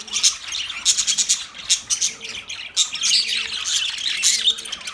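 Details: Steady budgerigar chatter from a pet bird: rapid high chirps and rasping warbles overlap almost without pause, with sharp bright peaks at the start and near the end.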